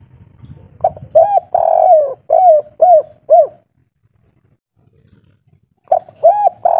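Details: Spotted dove of a local type with the three-note kuk 3 style, kept as a cage bird: low hollow coos in a phrase of about five notes, a silence, then the phrase starts again.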